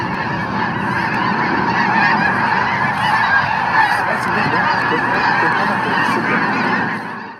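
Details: A vast flock of about 8,000 Snow and Ross's Geese fills the air with a dense, unbroken roar of overlapping nasal honks and yelps, steady from start to finish.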